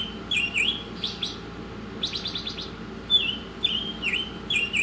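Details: Oriental magpie-robin singing actively, offered as a tutor recording for songbirds: loud clear whistled notes near a steady pitch, several bending down then back up, broken by short bursts of rapid trilled chirps, over a steady low hum.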